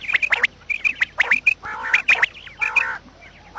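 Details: Quail calls in the morning, recorded as a lure for trapping quails: quick bursts of short, high whistled chirps, often in pairs, alternating with harsher, broader squawking notes, several callers overlapping.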